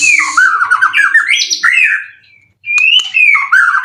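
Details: Prize-winning caged white-rumped shama in Indonesia, in 90% form with full cililin song material, pours out fast warbled phrases of twittering notes and rising whistles, breaks briefly, then resumes with a clear slurred whistle and chatter.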